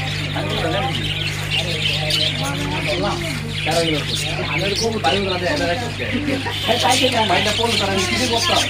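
Budgerigars chatter continuously in a dense flock, with rapid warbling, squeaky chirps and harsh notes overlapping, over a steady low hum.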